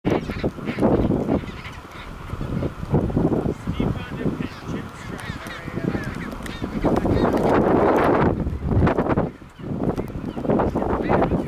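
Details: At Half Moon Bay, Antarctica, chinstrap penguins call in loud, harsh, braying bursts, several birds overlapping in a noisy chorus with a steady low rumble of wind or surf beneath.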